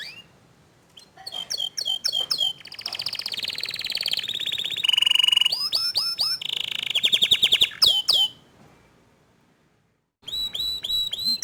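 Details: Varied canary song with young and untrained canaries reacting to a gacor dor singer. Sharp falling notes and long buzzy trills run for several seconds, followed by a quiet gap and a resumed burst of looping notes.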